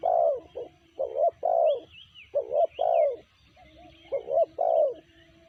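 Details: Spotted dove, a bird not yet caught, giving loud three-part cooing phrases, a short note then a longer falling coo, repeated three times across the clip, with faint high whistles of other birds behind.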